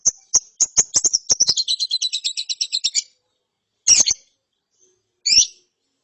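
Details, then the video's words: Young lovebird chirping after therapy: quickening high ticks run into a fast, buzzy rattling trill, then two harsh scratchy bursts after a pause. "ANAKAN LOVEBIRD NGERIWIK SETELAH DITERAPI"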